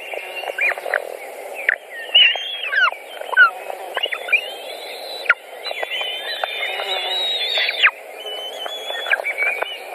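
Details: White-tailed eagles feeding young at a nest in Latvia, June 2019. Broken, squeaky whistles are followed by a long, high sustained note that ends in a sudden drop.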